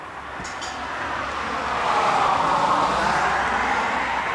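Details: A broad roar of passing traffic, possibly a train, swells midway and holds steady, with no animal voices heard.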